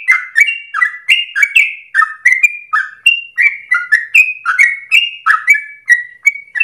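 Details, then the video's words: Trucukan (Yellow-vented Bulbul) in a loud, long rapid 'ropel' song used as a lure for training birds morning, noon and afternoon. Gurgling, whistled, slurred notes tumble out steadily in a varied chattering string. "Trucukan gacor dor ropel panjang untuk pancingan masteran pagi siang sore hari"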